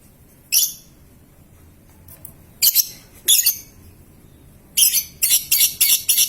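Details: Young lovebird in a lure recording for long ngekek and ngetik; scattered shrill chirps, then a fast run of harsh, high clipped notes about four per second.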